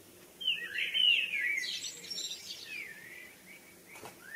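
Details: Evening birdsong with a loud, rapid warbled phrase of sliding whistles and chatter. Softer trailing notes and a brief rising chirp follow over a quiet background.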